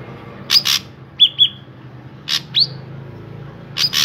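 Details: Drongo singing to lure others of its kind: pairs of rasping, buzzy notes alternate with a doubled clear whistle and a rising slurred note, with steady pauses between phrases.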